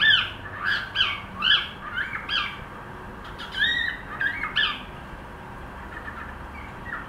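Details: Pet cockatiel attempting to sing: a string of squawky, warbling chirps with rising and falling whistled notes, in bursts of about half a second, pausing and resuming, over faint background hum.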